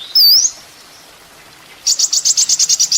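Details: Sunbird (kolibri ninja) on a master for training songbirds: one wavering high whistle, a second of quiet, then a steady rapid run of about ten sharp high notes.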